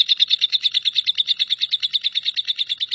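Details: Short stretch of lovebird nyambung kuntilanak song, a tutor song for shrikes; sharp high chirps repeated roughly seven times a second in an even, chattering rhythm.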